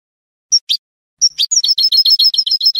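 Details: Spanish goldfinch (jilguero) singing in the canto de salón style, a training recording: two brief high chirps, a short pause, then a fast run of repeated high, sharp twittering notes, about ten per second, over a clean, quiet background.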